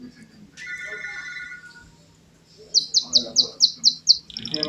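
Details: Canary song: a ringing tonal note, a pause, then seven loud spaced chirps descending in pitch, ending in a quick rapid trill.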